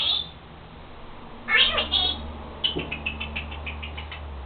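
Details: Pet Senegal parrot that copies her owner's sneezing gives a squeaky note, then harsh chattering, then a fast series of about ten short regular squeaks, over a rumbling low background noise indoors.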